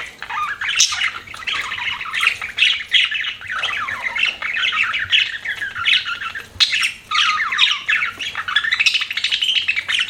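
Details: Pet budgies chatter in rapid, warbling phrases, squeaky notes sliding up and down mixed with harsh little squawks and brief gaps, one sharp click partway through.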